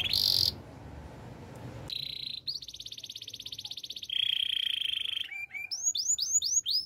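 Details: Male canary song: a harsh burst at the start, then buzzy rolls and fast even trills, finishing with high upward-swept whistles.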